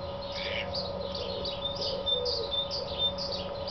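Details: A male house sparrow on a farmyard, advertising in early April 2008 (or 2009, the dates differ), repeats bright, slightly rough chirps about two a second over a steady low mechanical hum.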